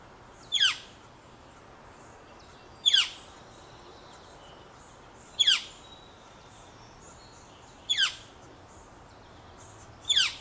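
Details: Northern flicker nestlings in a nest box, two remaining after one fledged, being fed by parents; short harsh downward-sweeping buzzy notes repeated roughly every two and a half seconds, five in all, over a quiet backdrop with faint high tones.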